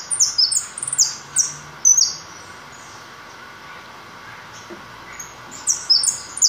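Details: A white (leucistic) European goldfinch sings a rapid, high, tinkling run of twittering notes for two seconds, pauses, then starts again, over a faint background hum.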